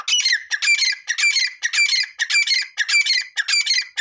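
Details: Grey francolin calling. Loud, harsh, ringing phrases come in a steady series, about one every 0.6 seconds. Each phrase is a cluster of grating notes. No other sounds are heard.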